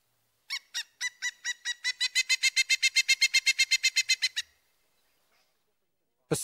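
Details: Pileated Woodpecker, whose loud call is written as kiki: roughly thirty rapid ringing notes, starting hesitantly, then steady and strong before stopping abruptly, with a sharp noise at the end.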